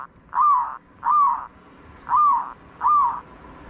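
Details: Zebra dove giving smooth rounded coos in the "ood" style, four evenly spaced notes a little under one second apart, low in pitch over a quiet background.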